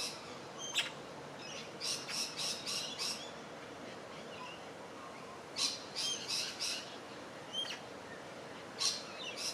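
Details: Crimson rosella feeding on shrubs beside Gardiners Creek, Melbourne, Australia, on 27 July 2023; bright, sharp chirps come in quick bursts of four or five notes, with pauses between groups, over a steady low background hiss.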